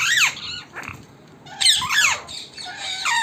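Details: Wild parrots at an evening gathering around a house: harsh, descending squawks in two loud bursts separated by a quieter stretch of softer chatter.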